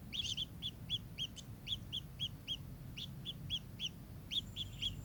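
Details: Kingfisher producing evenly spaced, bright, hooked chip notes, a few quick doublets at the start, then a steady repeated series over faint low background noise.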